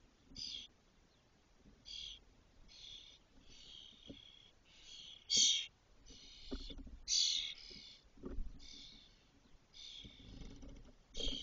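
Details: Six Spotless starling chicks in a cork oak nest in Doñana, Spain, fully feathered and about to fledge; harsh hissing bursts repeat roughly every second, varying in loudness, with faint tapping below.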